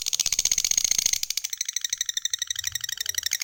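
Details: Lovebird's fast, dense chattering trill that quickly shifts into a rapid, rattling stream of high notes, with a little low background noise.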